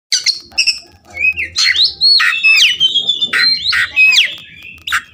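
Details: Oriental magpie-robin song played as short therapy for a caged bird that has stopped singing: loud varied whistles, sweeping slurred notes and sharp rising and falling phrases, some buzzy, delivered in quick bursts.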